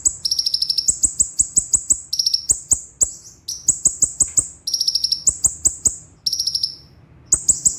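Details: Olive-backed sunbird (kolibri ninja) song used as a training recording for cage birds, in a sharp 'roll speed' style: very high, rapid trilled bursts that alternate between two pitch levels, with brief pauses and sharp clicks throughout.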